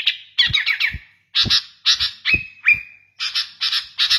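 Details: Sooty-headed bulbul of the type called kutilang garuda, singing actively; a recording used as a master song to train birds or lure them. Harsh, buzzy bursts arrive about twice a second, with a few short, flat whistled notes between them.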